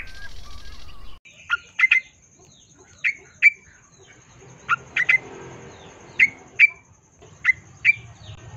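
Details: Long-tailed shrike singing vigorously as a lure to set other shrikes singing, from a 2022 recording: sharp chirps with a bright ring, given singly or in close pairs about every second or so, over a faint low hum.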